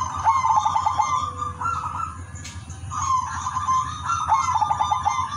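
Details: Zebra dove, Udan Mas silver perkutut, singing rhythmically to draw in other zebra doves. Two phrases of fast clicking notes and held mid-pitched coos are separated by a short gap, with constant low hum and a high tone.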